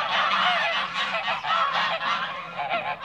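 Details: Toulouse geese in a backyard; loud, continuous chorus of rough, nasal honks from several birds at once, rising and falling in short overlapping bursts about three times a second.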